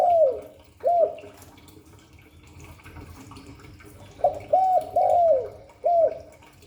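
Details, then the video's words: Cooing spotted dove, 'Hạp Bổi' voice style: a falling coo and a short arched coo, a pause of about three seconds, then a four-note phrase of mellow hollow coos ending with a brief separate note. "Tiếng chim cu gáy Giọng Hạp Bổi 38. Đủ bài THúc GÁY GỌI - GÙ HAY Kích Bổi Nhanh Nổi, Cu đất gáy"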